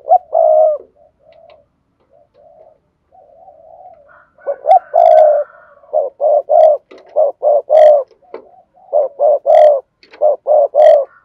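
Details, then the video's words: Spotted dove in vigorous urging coo, recorded to excite decoy birds: an opening long coo, soft murmurs, then a dense run of short clipped coo notes in quick uneven bursts, with faint higher chirps above. "Tiếng chim cu gáy thúc gù sung"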